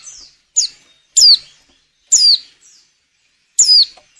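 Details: Female white-eye in breeding condition, whose calls are used to make males sing for luring. Piercing, high, downslurred whistles repeat every second or so, with fainter notes between them.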